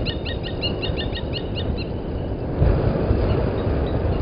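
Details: A blacksmith lapwing parent at its egg by Gowrie dam, Djuma Game Reserve, Sabi Sand, South Africa, at 11:08 on 31 August 2020, gives a quick two-second run of sharp, metallic tink notes over a steady low rumble.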